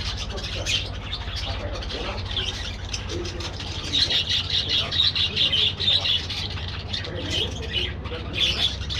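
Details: Colony of budgerigars kept in an aviary, chattering continuously; a run of quick, squeaky whistled chirps swells in the middle of the busy high twittering, with a constant low mechanical hum beneath.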